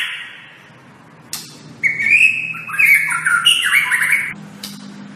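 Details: A white-rumped shama sings on a tutor track: a fading whistled note, a sharp click, then a loud two-second run of layered whistles and rapid high twitters that jump between pitches, over a low steady hum.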